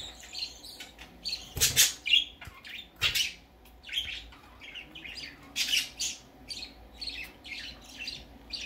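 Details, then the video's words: Baby budgerigar on its first time going out, giving bright, scratchy chirps and squawks in uneven bursts, with two louder harsh calls near the start and quieter chatter after. "Baby parakeet first time go out"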